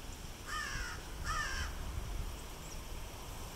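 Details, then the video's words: Crows calling by a fountain at a university campus on Hilton Head Island, South Carolina: two hoarse, nasal caws in quick succession over steady rushing water noise. "Crows Calling by Fountain"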